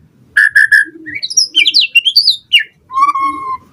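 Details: White-rumped shama song to provoke other birds to respond: three short notes, a twisting run of high warbled whistles, then a long steady lower whistle.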